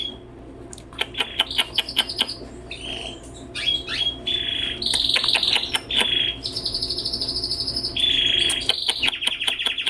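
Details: Indoor red canary chick at twenty days of age producing loud, dense high-pitched chirps and buzzy sustained whistles, broken by rapid clicking bursts, with a faint background hum.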